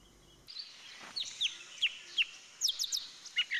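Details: Golden-fronted Leafbird in a garden in western Thailand: after a brief quiet start, sharp, high chirped notes come about every third of a second, some in quick doublets and triplets, with a few thin downslurred whistles.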